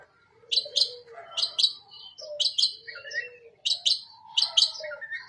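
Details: Long-tailed shrike giving paired sharp high chirps at intervals, interspersed with softer warbled phrases and lower background bird notes.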